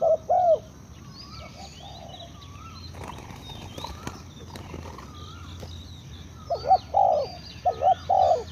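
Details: Spotted dove coo phrase at the start. A long quieter gap follows, with faint twittering of other birds and a few clicks. Then come two more doubled coos and a held croo near the end.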